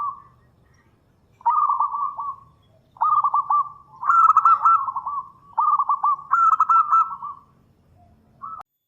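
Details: Local zebra dove in strong song, a lure meant to draw replies. Five phrases of quick stuttering coos, each about a second long, come in close succession over a soft low rumble.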